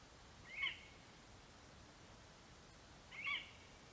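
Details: Two brief, high yelps spaced nearly three seconds apart from a male lesser spotted eagle at the nest, calling for his mate after delivering a vole, 11 September 2021; quiet hiss throughout.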